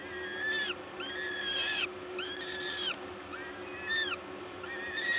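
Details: Peregrine falcon nest in Gdańsk, Poland, on 14 May 2022 around 11:07 while a parent brings food: clear separate whining calls, each about half a second, arched in pitch and harmonic-rich, roughly one per second over a low steady hum.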